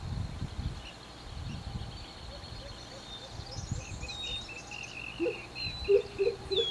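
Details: Pheasant coucal at the edge of the Queensland bush, calling loudly from just across a fence, gives a short run of deep, hollow hooting notes near the end, over wind rumble and a thin repeated chirping from another bird.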